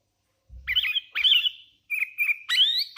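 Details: Short burst of song from a hand-reared Sooty-headed bulbul: four quick whistled phrases in close succession, bright and slightly buzzy, with a faint low thump at the start.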